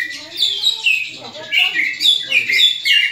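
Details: Greater green leafbird giving a fighting call, used to train other leafbirds' fighting spirit; rapid, loud, harsh and varied chirping notes in a dense mimic-like stream, about 3–4 phrases each second, with a faint hum beneath.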